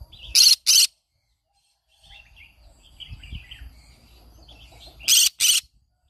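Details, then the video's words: Green-cheeked conure, a pet parrot, in its morning singing: two pairs of loud, raspy screeches at the start and end, separated by soft, scattered chirping and faint low rumbles. "I sing every morning Aren't you bored? green cheek conure"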